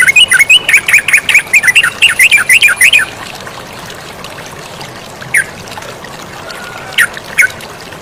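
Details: Lively yellow-vented bulbul with flowing water behind it: three seconds of quick, evenly spaced chirped notes, then mostly the steady rush of water with a few isolated sharp calls.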